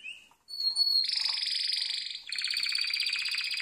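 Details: Harz Roller canary for song training, giving a brief whistle, then long rolling rattled trills held at a steady pitch, one trill running into the next.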